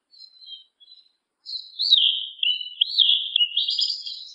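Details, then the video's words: Yellow-legged thrush, a black sabiá-una, singing: a few faint high thin notes, a short pause, then a loud continuous run of quick warbled, twittering high phrases that rise and fall, with no other sounds. "SABIÁ UNA PRETA E SEU CANTAR, SABIÁ CHAMANDO, O CANTO DO SABIÁ PRETO"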